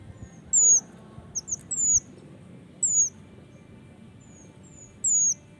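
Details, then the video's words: Male mountain leaf warbler: sparse, piercingly high whistles that dip in pitch, some doubled, separated by pauses of one to two seconds, over faint humming noise. "Suara burung Mantenan Jantan"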